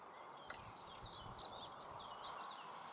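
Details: Song of a rock bunting, Moselle valley, Germany: rapid, thin, high-pitched twitters running through the whole clip, broken by one loud sharp whistle-like note, over a steady low hiss.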